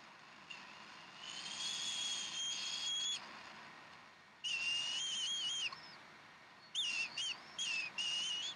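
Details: Bald eagles at the Decorah nest on 15 April 2012, around 6:00 nest time, while fresh duck is served for dinner. High, thin whistled calls in long, wavering bursts with short gaps, three bouts over steady background hiss.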